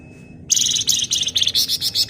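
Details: Flamboyan bird singing in the busy, rapid 'ngebren' style, dense and shrill: after a half-second pause, a continuous run of harsh, high, chattering buzzy notes pulses quickly to the end, over a faint steady tone and low hum.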